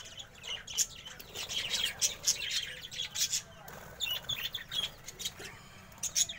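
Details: Budgerigar colony: a flock chattering together in busy, overlapping chirps and warbles.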